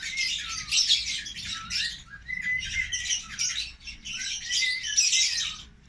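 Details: Sibling African lovebirds, tame pets kept in a cage in an aviary, keep up a dense, continuous chatter of shrill squawks and chirps with short whistled rising notes woven through, barely pausing across six seconds.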